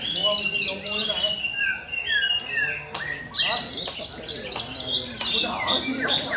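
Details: White-rumped shama delivering rhythmic song of fluty whistles, downslurred notes and sharp clicks, while a person talks in the background.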